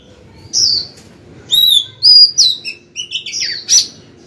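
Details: Caged female white-rumped shama singing to attract a male: a lively string of varied whistles, slurred phrases and short chips, delivered in bursts over about four seconds.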